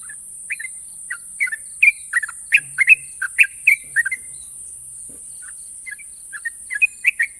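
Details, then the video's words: National champion Yellow-vented Bulbul with sharp ropel trills: a few scattered chirps build into a dense burst of clear slurred whistles, pause, then resume more softly; faint low thud midway. "burung trucukan juara nasional ropel panjang dan tajam"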